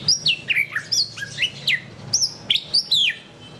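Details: White-rumped shama phrases of loud, clear whistles that swoop down sharply from high, repeated about every third of a second with slight changes.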